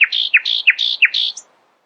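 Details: Nightingale at dawn repeating four rapid phrases, each a sharp downward slur joined to a buzzy high note, finishing with a brief high flourish.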